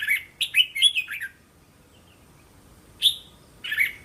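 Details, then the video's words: Caged-bird training phrase of a red-whiskered bulbul, sung in doubled sets of three to five syllables: a rapid run of rich warbled whistles, a quiet gap, then two more clear, slurred notes. "เสียงนกกรงหัวจุก เสียงยั่วๆๆสายต่อ"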